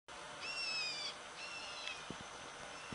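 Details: Black bulbul cheeping in response to the cheep of another black bulbul: a nasal, harmonic note held for under a second with a slight waver, then a fainter, shorter note, with a few soft clicks in quiet surroundings.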